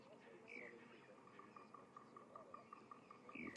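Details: Bearded woodpecker tapping on a sunrise safari drive at Djuma, Kruger area, South Africa, 18 April 2016: an even run of light ticks, about five a second, under faint speech; chinspot batis in the distance and a brief falling whistle from another bird.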